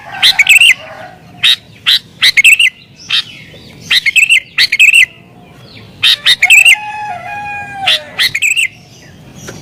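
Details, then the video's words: Agitated sooty-headed bulbul song meant to lure wild birds: short loud bubbly phrases of two or three notes repeated irregularly over ten seconds, with a long thin low whistle in between. "Burung Kutilang Gacor Isian Cocok Buat Pikat Burung Kutilang Liar"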